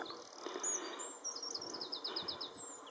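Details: A Common Whitethroat sings in a coastal garden within sight of the sea, giving high, scratchy chirps and then a quick run of repeated down-slurred notes, with steady wind noise in the background.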